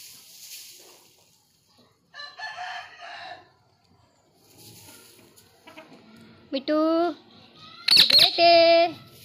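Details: Ring-necked parakeet talking: quiet chatter, then loud harmonic, voice-like utterances with wavering pitch near the end. A person speaks Hindi to the bird nearby.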